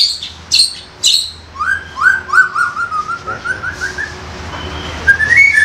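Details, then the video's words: White-rumped shama, a young bird from the forest, singing to draw other young shamas into song; sharp chips, then a rapid trill of repeated whistled notes sliding gradually lower, closing with a rising whistle. "MEMANCING MURAI MUDA HUTAN KOAR KOAR"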